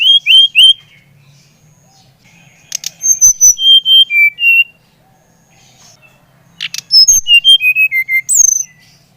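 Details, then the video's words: Brown-chested jungle flycatcher song used to stimulate another bird to sing: bursts of clear, high whistled notes sliding downward in short descending runs, separated by quiet pauses, with faint sharp clicks. "Kicauan SRDC Bali Gacor Merangsang srdc Bahan agar cepat Ngeplong Gacor"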